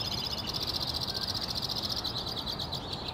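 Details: A male White-winged Crossbill, one of at least four in the area, sings a fast, continuous run of high chattering trills that shift in pace midway, over a soft background rumble; NW Regina, Saskatchewan, Canada, April 3, 2017.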